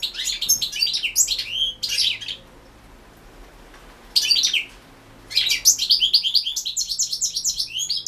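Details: European goldfinch recorded for a 2016 online world singing championship, delivering bursts of fast, tinkling, high twittering song separated by two quiet pauses, with a faint low hum underneath.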